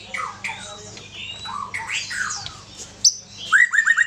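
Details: Aceh-type white-rumped shama giving softer mixed whistles and slurred notes, ending in a crisp series of four downslurred whistles. A low steady hum is present.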